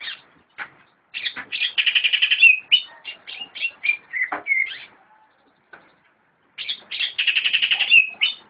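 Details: Greater green leafbird (cucak ijo) kept in a friend's collection, singing dense buzzy warbles ending in a falling whistle, then varied chirps, a gap of near silence, and another dense warble.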